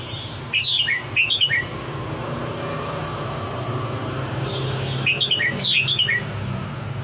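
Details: Red-whiskered bulbul giving two bursts of bright, warbled whistled notes that step up and down, the phrases about four seconds apart, with low background rumble between.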